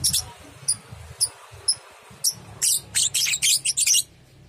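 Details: Lovebirds of the Biola and Biola Euwing types from Muncang, Central Java, Indonesia: sharp high chirps at irregular intervals, then a dense closing burst of harsh, buzzy, rapid chatter over a low background hum.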